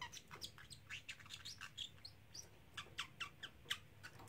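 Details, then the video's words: Three-month-old male pet parrotlet, young but already saying many phrases such as "Silly Birdie Bird" and "Do You Want to Come Out" over and over; quick, high chirpy syllables repeated in a steady run of short bursts, with a faint low room hum. "Talking Parrotlet"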